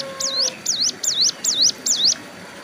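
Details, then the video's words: A hill prinia sunning at the roadside while moulting its wing feathers sings five loud, evenly spaced looping whistles, each a rapid up-down-up sweep, in under three seconds. "suara burung ciblek gunung"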